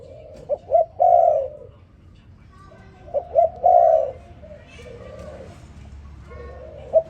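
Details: Morning cooing of a spotted dove: two quick low notes followed by a long mellow coo, the phrase given twice with a third beginning at the end, over soft background murmur and faint higher sounds.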